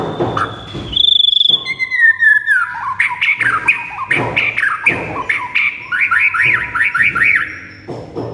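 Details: White-rumped shama master recording for making birds answer and sing; a high whistle and a falling slide lead into fast, scratchy, rattling chatter with repeated zigzag notes.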